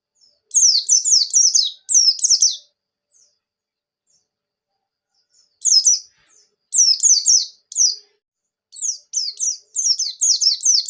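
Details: Javan white-eye, pleci buxtoni, in ngalas ngerol nembak song played as a lure for other pleci: clipped bursts of very high, quickly falling notes, four to six per burst, with long silent gaps between.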